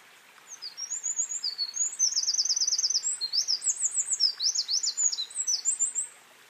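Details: A Eurasian wren on Mount Takao, Japan, in spring (23 March 2013), pours out a loud, rapid song of high, tinkling notes and fast trills lasting about six seconds.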